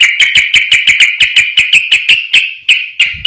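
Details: Yellow-vented bulbul singing in the fast 'ropel' style: a long steady series of sharp, ringing notes, about five per second, slowing slightly toward the end. No other sounds are heard.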